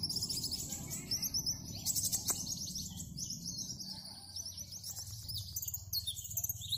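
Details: Caged sunbird, kept as a songbird and singing vigorously as it runs through its learned fill-in phrases: rapid, very high, thin chirps and trills in quick bursts, with a low steady hum underneath.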